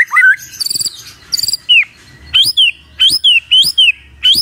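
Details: Morning magpie-robin song played to set a quiet bird singing: a low whistle, two quick rattling trills, then high upslurred whistles repeated about every half second.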